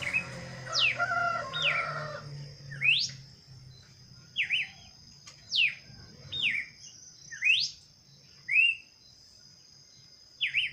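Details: Wild bird song of sharp whistled notes that sweep up or dip down in a V shape, given roughly once a second, with a thin high insect-like drone throughout.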